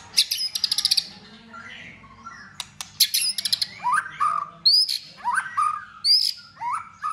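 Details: White-rumped shama in competition singing during the cold season, tail flicking. Quick rattling clicks open, followed by clear upslurred and downslurred whistles, sharp high ticks and varied short phrases with gaps between them.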